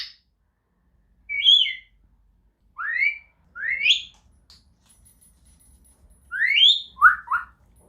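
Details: Grey parrot whistling to communicate with others of its kind and mark territory: a handful of sharp upward-sweeping whistles, spaced one to two seconds apart with quiet between them.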